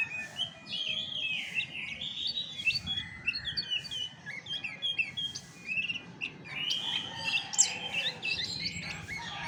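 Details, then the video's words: Chestnut-backed thrush singing a busy run of short, high whistled and chattering notes in quick succession, bursting louder near the end, over faint low background noise. "SUARA ASLI ANIS MACAN TAPA MASTERAN"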